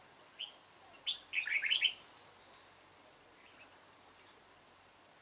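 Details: A dark-bibbed red-whiskered bulbul delivers one quick, jumbled warbling phrase near the start, rich and chattering, followed by near silence broken by faint high whistles. Recorded while trapping bulbuls, 28 February 2017.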